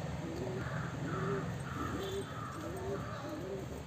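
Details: A Mukhi pigeon, part of a red, black, yellow and silver collection, gives a steady series of short low coos about every half second over a deep constant hum.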